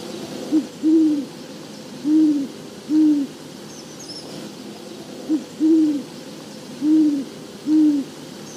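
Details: Great horned owl (eastern United States) hooting, two deep, soft phrases of about four notes each, a short hoot followed by longer ones; pairs may hoot back and forth, one answering from a distance.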